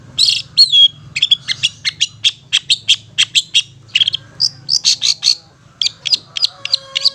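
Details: Ngetet song of a long-tailed shrike, used as a lure for stressed or mute shrikes: a rapid run of sharp, clipped high notes with short gaps, over a faint low hum.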